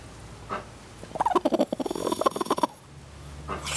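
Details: Big broody hen growling like a dinosaur, telling a person to bug off. A rapid, rattling series of throaty pulses runs for about a second and a half, then stops. A faint short call comes before it and a soft rustle follows.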